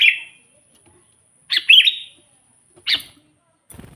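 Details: Sooty-headed bulbul calling out to wild rivals: short bubbly whistled phrases spaced about a second apart, one longer warbled burst in the middle, quiet between phrases.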